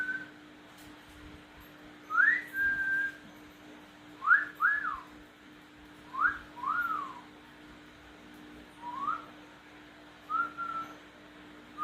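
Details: Tame household cockatiel trading whistles with its owner: short clear upswept whistles, often in doubled rising-falling pairs, coming every two seconds or so against a low room hum.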